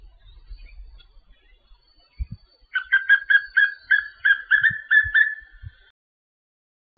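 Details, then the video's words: A Yellow-bellied Seedeater sings a quick run of about ten clear, slightly buzzy mid-pitched notes, roughly three a second, with a few low thumps around it. "Canto do pássaro papinho-amarelo"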